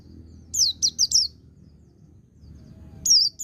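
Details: White-eye song for training: a quick run of four high, falling whistled notes, a pause, then two more descending whistles.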